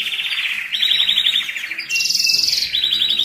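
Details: Canary song for moulting and resting birds: bright rolling trills that shift between pitch levels, jumping from a lower roll to a higher one and back, with no break between phrases.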